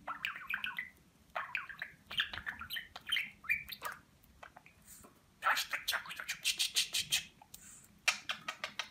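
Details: Talking pet budgerigar from Rize, Turkey, 2020, said to repeat Turkish words such as "Babacık" and "Aşkım"; bursts of high, raspy speech-like chatter and warbles in phrases, with brief pauses between them.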